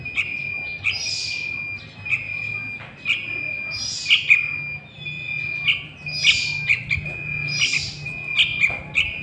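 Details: Young sooty-headed bulbul used to attract wild birds for catching: repeated hoarse, hissing bursts every two seconds or so, interspersed with brief chirps, against a quiet steady whine.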